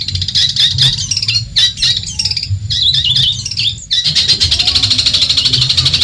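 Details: Madura long-tailed shrike used to train and provoke other songbirds: harsh squeaky phrases with slurred notes for four seconds, then a steady rapid buzzing trill.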